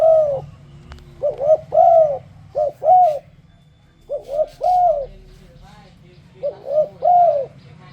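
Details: Enticing spotted dove song for making other doves sing along: rhythmic three-note coo phrases, repeated about every two seconds, over a low steady hum and a faint click.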